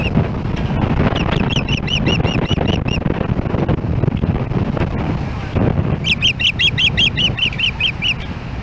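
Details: Nesting ospreys in Hellgate Canyon, Missoula, Montana, on July 4, 2016, as a second osprey comes toward the nest: two long strings of rapid, shrill whistled chirps separated by a pause, over low wind rumble.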